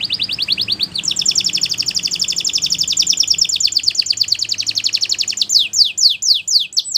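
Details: Belgian canary singing, a training song for young canaries: quick looping notes lead into a long, fast, high rolling trill, then slower, separated downslurred notes to close.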